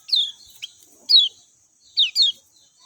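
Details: Brief run of lemon-bellied white-eye notes: bright downward-sliding whistles, one single and then a close pair, over a steady high background hiss.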